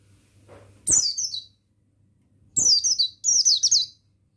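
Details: Male buxtoni mountain white-eye, master audio for stimulating other birds to sing. One high, descending twitter, a gap, then two quick wavering zigzag phrases, each starting with a click, over a low hum.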